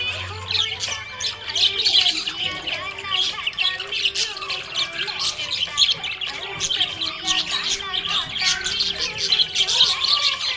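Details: A happy budgie gives a long, continuous warbling chatter. Rapid buzzy chirps, clicks and squeaks tumble over one another, with quiet music in the background.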